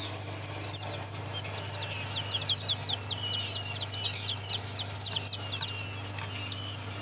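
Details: Serama chicks peeping in a rapid, steady stream of high, arched cheeps, roughly three to four per second, several birds overlapping, over a low constant hum.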